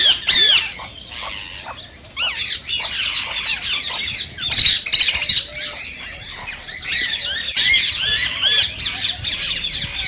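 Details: Green rose-ringed parakeet calls, said to stimulate singing and mating in other parakeets: dense, overlapping harsh screeches and chattering notes, some fluttering sounds, with calls piling on each other throughout.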